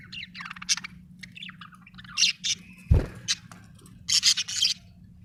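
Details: Budgerigar chattering in busy scratchy chirps and warbles, with a dull knock in the middle and a fast burst of chirps near the end, over a low hum.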